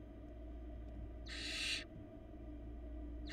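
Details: Barn owl nestling in a Florida nest box, feeding on small pieces by itself, giving one long rasping hiss and the start of another, with steady low hum beneath.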